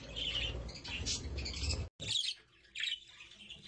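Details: Budgerigars with their chicks: bursts of sharp, high chirps and squawks, broken by a brief silence, over a low rumbling background in the first half.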